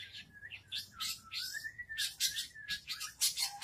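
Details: Caged long-tailed shrike placed in front of a house, singing continuously: a slurred whistle gliding between mid and higher pitch runs under dense bursts of harsh, high chattering notes.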